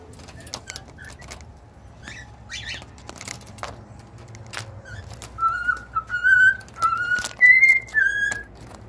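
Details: Cockatiel song heard after several seconds of faint clicks and scratchy taps: a run of pure whistled notes stepping between lower and higher pitches, ending in a brighter, slightly rising whistle.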